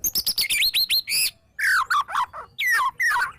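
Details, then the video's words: White-rumped shama song used as a lure to make other shamas sing: a fast run of high repeated chips, then descending whistled phrases and slurred notes dropping from high to mid pitch. "murai batu gacor EMOSI NGEPLONG full isian TEMBAKAN jitu jadikan pancingan murai batu agar bunyi"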